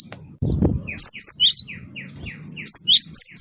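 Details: Lure song of a gelatik batu wingko, the great tit: a low thump, then lower descending slurred notes mixed with high, sharp, bent whistles repeated in quick succession.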